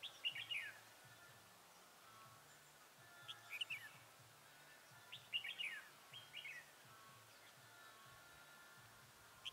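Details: Red-whiskered bulbul used as a decoy, singing to draw wild birds into a trap, recorded 27 November 2017: short bright warbled phrases of quick chirps repeated about every one and a half seconds, with faint low hum and outdoor hiss.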